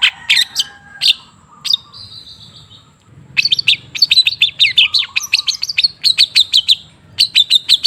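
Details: Long-tailed shrike song meant to prompt silent shrikes to sing: a few sharp chips and a thin drawn whistle, a pause, then a fast run of repeated metallic chirps and a low whistled slur.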